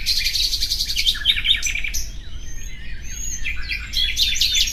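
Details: Common nightingale song. It opens with a fast run of repeated chirping notes, then breaks into varied short whistled and buzzy phrases with a few pure high whistles, over a steady low rumble.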